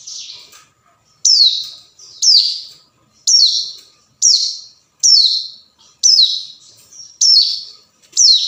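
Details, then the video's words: Hill prinia calling to a rival, recorded as a lure: a steady series of sharp, high, downslurred rasping notes repeated about once a second, with clean silence between them. "suara panggilan ciblek gunung"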